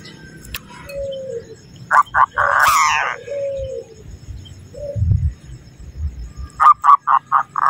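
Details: Local zebra dove in breeding excitement gives bursts of quick, staccato coos, four or five notes in a row, with softer low whistled notes between bursts and faint background noise.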